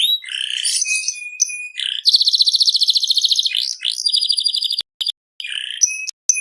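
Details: Vigorous canary singing: mixed chattering notes and a level whistle, a long pulsing buzzy roll, rising slurs, then brief clicks and short whistled phrases.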